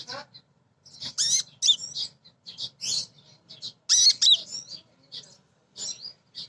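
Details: A female crimson sunbird calls to males with a rapid jumble of high, thin chips and squeaky downward-sweeping notes in dense bursts with short pauses. The recording is used as a lure to get birds singing.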